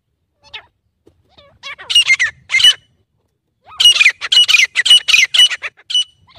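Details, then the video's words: Grey francolin calling: faint scattered notes, then several loud harsh squawks, a pause, and a longer run of shrill, rasping notes repeated quickly and evenly. "तीतर की आवाज़ - Teetar Ki Awaaz: || "Grey Francolin Sound"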